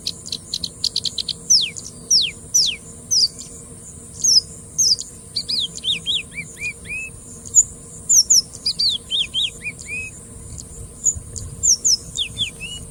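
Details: Singing bush lark singing: scattered high, thin downslurred whistles and short chirps, sometimes in quick pairs or triplets, with pauses between bursts; a constant faint hum and high hiss run underneath.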